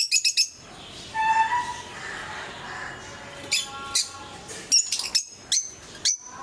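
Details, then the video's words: Kept lovebirds of various mutations, 2022; sharp, shrill chirps in quick clipped bursts, some in rapid runs of three or four, with a few thin whistled notes between them. "Sounds of love birds"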